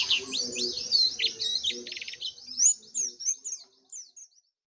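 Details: Oriental white-eye, known locally as pleci, singing in the open-beak (buka paruh) style, with Dakbal, Pacitan and Muria bocil types compared: a fast, dense stream of very high, thin chirps and twittering trills that slows and thins out toward the end, with faint low murmurs beneath.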